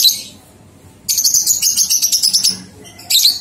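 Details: Lovebird ngekek, a training sound for young lovebirds aged two months: a rapid, even chatter of about a dozen shrill rasping notes over a second and a half, framed by shorter harsh bursts before and after.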